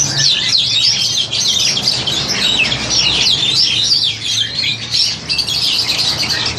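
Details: Captive Crested Myna, a bird about seven to eight months old and ready for a breeding cage, recorded on an old Samsung Grand2 phone; dense, harsh, scratchy chattering with squawks, continuous and fast-paced, with a low hum underneath.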